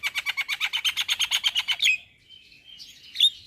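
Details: Javan myna singing energetically: a rapid, steady series of about fifteen raspy, buzzy notes lasting nearly two seconds, followed by quiet warbling and a single sharp high chirp.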